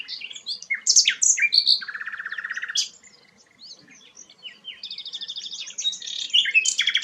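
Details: Rare sikatan londo flycatcher giving a varied, high-pitched song: sharp chips, a long buzzy rattle, a quieter pause, then fast trilled notes and a mix of chirps.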